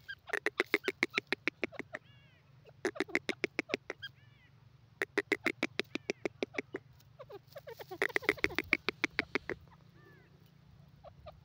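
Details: Grey francolin (teetar) giving loud, rapid, rhythmic series of harsh clipped notes in about four bursts, each lasting roughly one to two seconds, with brief quiet gaps and faint thin chirps in between.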